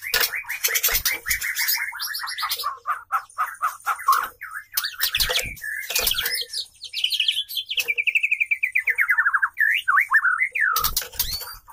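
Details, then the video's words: Female white-rumped shama in lively song meant to set males singing: varied whistles and fast trills, including a long descending series of rapid notes, with intermittent harsh rattling noises. "Proses kawin murai batu jantan merayu betina | murai betina gacor"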